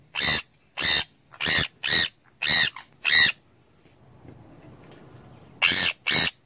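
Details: Pet sun conure indoors screeching loudly in a fast series of harsh, piercing squawks, about six in quick succession, a brief pause with faint background rustle, then two more shrieks.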